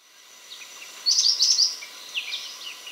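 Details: Bar-winged flycatcher-shrike song: a quick, high, bright burst of short bouncing notes lasting under a second, with fainter scattered chirps after it over a steady high hiss.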